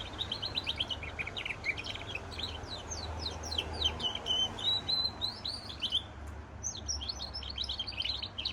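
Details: Extended goldfinch × canary song of rapid, jumbled twitters and downward-sweeping notes, flowing almost without break before a brief pause and a final chattering burst.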